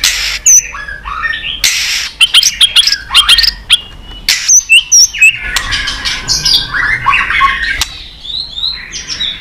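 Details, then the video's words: White-rumped shama stimulated into competitive singing, flicking its tail: loud varied high whistles, rapid sharp clicks and buzzy chatter in quick bursts, then a rising run of squeaky trilled notes. "Chòe lửa kéo dây suối dài .đánh đuôi cực sung kích cực nhạy. kích chòe lửa căng lửa. chòe lửa tạch"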